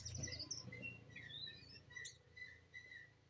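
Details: White-rumped shama singing: a brief run of clear whistled notes, some high and slurred, then steadier mid-pitched whistles repeated at uneven intervals over a low background hum.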